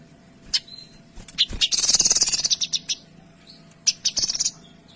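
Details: Vigorous Kinoy song meant as a tutor: isolated sharp chips lead into a long, rapid, tightly packed volley of harsh high notes, followed by another quick stuttering burst.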